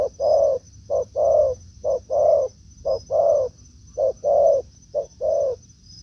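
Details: Spotted doves in a forest, a decoy out for a week facing a handsome wild dove: mellow low coos in regular short-then-long pairs, roughly one per second, against a faint constant high whine.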